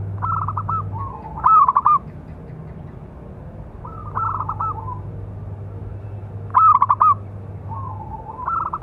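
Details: Big-voiced local Zebra dove giving its calling song, used to train and provoke other doves: rhythmic coo phrases with rapid stuttering notes and a drawn-out ending, repeated several times across the recording, with a constant low humming background.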